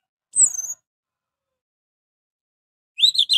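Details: Orange-headed thrush singing, used to provoke other thrushes into singing along: a high slurred whistle falling near the start, then after a long pause a quick burst of buzzy rising-falling notes.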